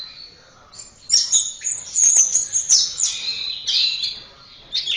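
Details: Caged-bird training song of an Orange-headed thrush: dense high warbling with squeaky sharp notes and downward-slurred whistles, nearly continuous.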